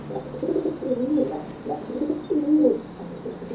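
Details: Dry pigeon coo-cooing to threaten a wet pigeon unable to fly after bathing; a run of low, gurgling rolling coos in short repeated phrases, quiet background.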